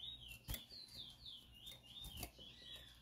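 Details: A selected male Chestnut-bellied seed finch, a marbled white-splash bird, sings a run of sweet, slurred whistles that swoop up and down, broken by a few sharp clicks and taps.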